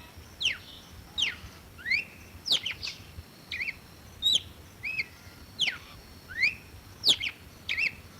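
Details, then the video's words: A red-cowled cardinal repeats crisp whistled phrases about every 0.6 seconds. Quick falling strokes alternate with rising and level whistles in a steady, varied rhythm over a faint high background hum. "Som limpo do canto🎵 do Cardeal do Nordeste"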